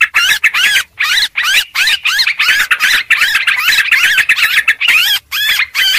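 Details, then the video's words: Sooty-headed bulbul lure sound, busy and noisy: repeated scratchy chatter bursts with looping, wavering notes, closely spaced with short gaps. "suara pikat burung trucuk ribut"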